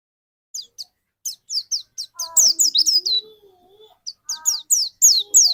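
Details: White-eye used as a lure to trigger another white-eye's song: rapid bursts of high, thin, downward-sweeping notes, some grouped into fast runs. A pause follows, then the song resumes. Lower soft tonal sounds are also heard.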